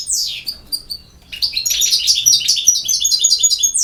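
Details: Campero song from a European goldfinch: a descending sweep and a few thin notes, then a long, unbroken cascade of very high, tinkling and buzzing twitters delivered rapidly.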